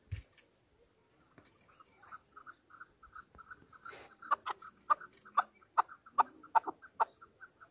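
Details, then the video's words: A chukar in Pakistan gives a run of clucking chuck notes that quicken and grow louder, building into harsh, emphatic calls about twice a second. "chakor ki awaz | Hunter chukar voices | Hunter Chukar sound"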